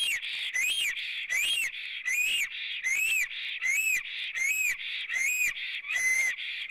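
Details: Black stork singing at its nest in Latvia on 9 April 2017 around 14:03, female apparently present, picked up by a nest camera: hoarse, whistled rising-falling notes with a hissy edge, repeated steadily about every three-quarters of a second.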